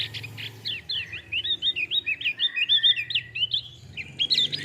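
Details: Male Javan grey-throated white-eye singing a fast, continuous twitter of high, sharp chirping notes, roughly fifteen slurred rising and falling phrases strung together over four seconds, with a faint low hum underneath.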